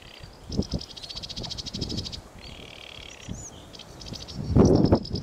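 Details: Sedge warbler singing: a fast chattering run of high, repeated notes, a short buzzy passage in the middle, then more rapid chatter, over steady low rumbling noise.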